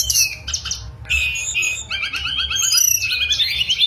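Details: Wild mangrove blue flycatcher in full song, giving varied high twittering phrases with quick trilled segments and brief pauses between bursts, over a faint low background rumble.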